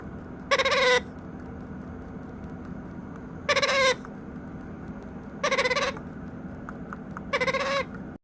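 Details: White-capped pionus baby of about nine weeks making hunger noises while practising balance: four rasping, bleat-like cries lasting half a second each at uneven intervals of two to three seconds, against constant low droning.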